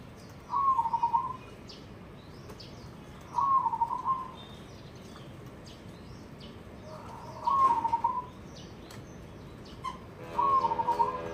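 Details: Zebra dove, white with barring and red eyes: short rolling cooing phrases repeated about every three seconds, four in all, with faint background bird chirps and noise.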